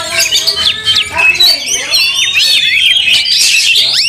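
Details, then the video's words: White-rumped shama singing angrily during a fight, tail spread: quick sequence of sharp whistles, slurred upward and downward sweeps and chirps, growing busier and louder toward the end. "Kacer tarung bongkar emosi buka ekor dongkrak amarah bikin kacer lain tambah Garang KEPANASAN"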